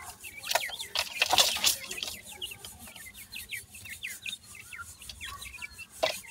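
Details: Brood of grey francolin chicks giving a stream of quick high cheeps, broken by loud rustling bursts near the start and end.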